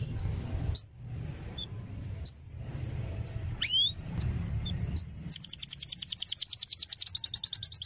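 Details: Canary song for training young canaries: spaced, bright rising whistles and one steep swooping note, followed by a fast, even, rattling trill that carries to the end, with a low hum in the background.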